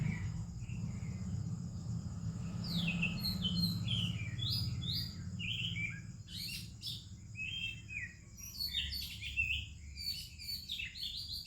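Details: Oriental magpie-robin singing in the morning with other birds, in India: bursts of sweet, varied whistled phrases and short chirps from about the three-second mark, over a steady low rumble of background noise.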